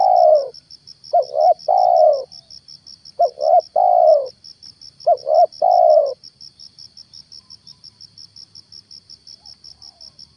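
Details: Spotted dove, a lure bird used in a morning trapping outing to bring down a wild stuttering dove, giving three phrases of two short coos then a long falling coo, about every two seconds; a steady high ticking runs throughout.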